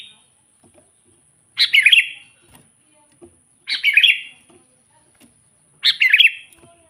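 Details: Sooty-headed bulbul calling to provoke wild bulbuls, natural sound: three short bubbling phrases of quick chirped notes, spaced about two seconds apart, over a quiet background.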